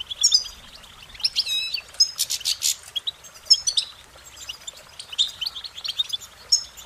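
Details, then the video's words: Goldfinch song made of quick bursts of bright, high chirps and warbles. A short series of rapid, buzzy repeated notes comes near the middle, and lively twittering follows. "Goldfinch Singing their Song"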